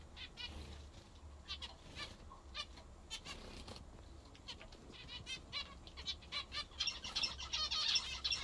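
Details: Home-kept zebra finches feeding on a favourite treat; nasal beeping calls repeat roughly three times a second, then build into a busy overlapping chorus of several birds toward the end.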